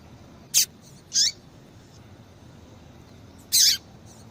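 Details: Calls of a female yellow-bellied seedeater, given to excite males into singing: three brief, bright, high-pitched chips, the last slightly longer, separated by pauses.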